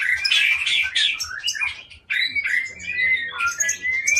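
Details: White-rumped shama from Aceh, Indonesia, a long-tailed captive breeding bird noted for loud, varied song, pours out dense chattering phrases and bright whistled slurs, pausing briefly midway, with a faint low rhythmic thump underneath.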